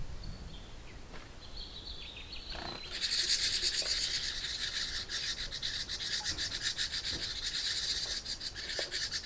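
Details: Young house wrens inside a nest box screaming for more food at a parent's visit: a thin note first, then a sudden, loud, continuous chorus of fast, raspy, pulsing calls that holds steady for several seconds.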